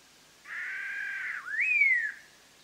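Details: Single phrase from a black-hooded laughingthrush, a Vietnam highland endemic, used for trapping: a broad burry rasp, a quick dip, then a clear whistle rising sharply and sliding slowly down.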